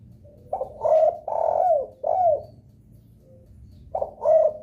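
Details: Spotted dove cooing as a lure for other doves: a four-note phrase of low husky coos, the third long and drawn out, the last one falling, followed after a gap by the start of another phrase.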